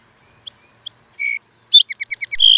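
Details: Song sparrow singing: a few high clear whistled notes, then a quick series of sharp sweeping notes forming a fast trill, ending in a buzzy held note; no other sounds.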